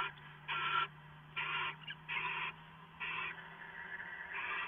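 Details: A pair of owls bonding at 4:27 AM on 22 September 2014, shortly before heading off to roost for the day; five harsh, breathy hissing bursts of about a third of a second each, roughly one second apart, over a steady low hum.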